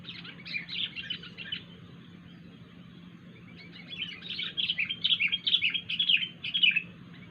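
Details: Unusual calling from a wild sooty-headed bulbul: a burst of quick chattering chirps, a pause of about two seconds, then a longer, louder run of rapid bubbling notes, with a faint low hum throughout.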